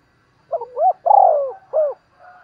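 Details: Spotted dove calling to stir up wild birds. A single throaty coo phrase opens with two short upswept notes, swells into a long falling coo and ends with a short note. A soft low hum sits underneath.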